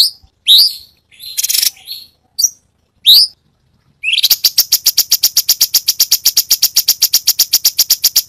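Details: Cucak cungkok giving 'tembakan' song variations for a training recording: several scattered upslurred whistles and a harsh burst, then a long rapid even trill of high clicks lasting about four seconds.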